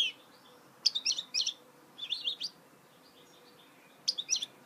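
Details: A goldfinch mule, a hybrid goldfinch, sings in short separate bursts of bright, high, jangling chirps and twitters. The phrases are broken by pauses of about a second.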